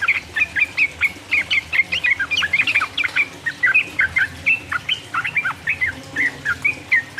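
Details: Yellow-vented bulbul in energetic chattering song, played to excite rival birds; continuous rapid chirps and downward slurred whistles, several per second.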